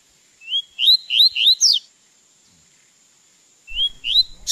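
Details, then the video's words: Double-collared seedeater in training to sing gives a rapid series of five bright, rising whistled slurs, falls silent nearly two seconds, then starts again with two more; faint low rumbling at the end. "Como Encartar Um Coleiro Em 30 Dias"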